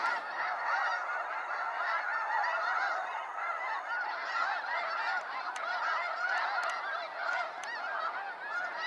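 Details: Waves of snow geese flying out at sunset over Sacramento National Wildlife Refuge, producing a constant, crowded din of yelping honks from a huge flock, unchanging in intensity throughout.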